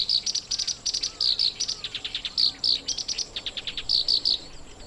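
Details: Black-browed reed warbler singing in breeding-season grassland at Watarase, Japan, with eggs in the nest; loud, fast chattering song of high buzzy bursts and rattles, repeated several times a second, with faint lower slurred notes.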